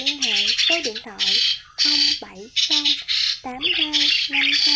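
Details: Lure recording for trapping migrating starlings. Repeated grating squawks sweep down then level off, alternating with loud bursts of hissy, crackling chatter and brief pauses between phrases.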